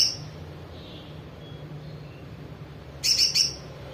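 Olive-backed Sunbird giving a brief very high note, then a quick burst of three or four thin, sharp chips about three seconds later, over a faint low hum.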